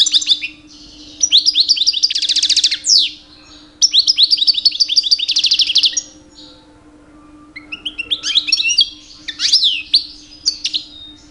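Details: European goldfinch aged two, a male singing in mating season to attract females; repeated bursts of rising twitters ending in buzzy rattles, with pauses between phrases, then lighter chirping notes; faint hum.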